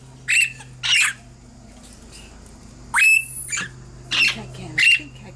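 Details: Caged baby Princess parrots getting stronger every day, December 2017: short, well-spaced harsh squawks, single and paired, each a scratchy burst with a faint whistled thread, over a low steady hum.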